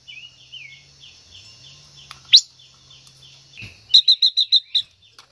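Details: Silver-eared mesia hen singing to excite a male: faint, evenly repeated downslurred notes and one sharp upswept chip, followed by a rapid row of six loud, bright, clipped notes.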